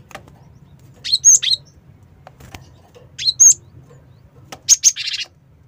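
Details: Cinereous tit calling as a lure: three short groups of sharp double chirps, the last followed by a brief buzzy rasp, with a quiet low hum behind.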